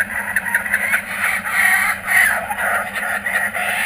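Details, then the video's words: Kookaburras back at a home garden, filmed on GoPro Hero 3D and Fujifilm W3 cameras. A steady, rough, noisy cackling chorus with pulsing rhythm runs throughout. "Our Kookaburras are back"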